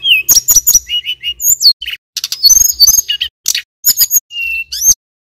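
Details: Male mountain tailorbird from Banyuwangi singing vigorously: a dense run of very high, thin whistles, sharp clicks and chips, with short steady whistled notes near the lower end and brief gaps between bursts.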